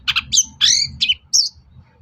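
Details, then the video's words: Long-tailed shrike notes meant to provoke a bird into answering and singing: a rapid burst of harsh squawks and a drawn-out nasal buzzy note, ending in a sharp high chip. "SUARA PANCINGAN BURUNG CENDET AGAR EMOSI & NYAUT GACOR"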